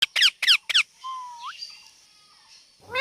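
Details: Parrot talking and making sounds: three quick harsh harmonic squeaks, then a soft whistle that rises sharply at its end, quiet afterwards, with another squeak starting at the close.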